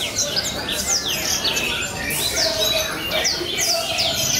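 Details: A captive Black-throated Canary at a singing competition, triggered by another's song, sings a fast, unbroken stream of high twitters, trills and sweeping whistles, with other similar singers chiming in around it.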